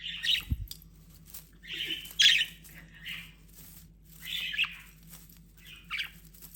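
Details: A pet budgerigar enjoying a Christmas tree gives scratchy, chirping bursts of chatter in short, irregular phrases.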